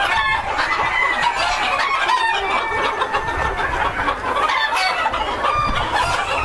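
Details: White Silkie bantam chickens of a breeder flock clucking together, a dense overlapping chorus of short clucks and squawks over steady background din.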